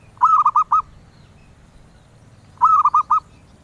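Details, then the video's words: Zebra dove, prized by collectors for its melodious song, repeats a phrase of four hollow, rolling coos about every two and a half seconds, loud and clear against a quiet background. "Suara Merdu Burung Perkutut yang di incar kolektor Kutut"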